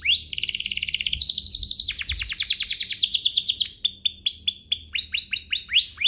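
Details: Canary singing in a recording meant to stir other canaries to sing: fast rolling trills that shift between tours, dense buzzy rattles giving way to repeated sweeping whistled notes, all high-pitched and continuous.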